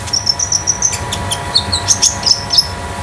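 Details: Konin, or common iora, kept at home as a young bird moulting out of speckled plumage; a rapid run of very high squeaky whistles and clicks, tightly packed over three seconds, with a faint electrical hum.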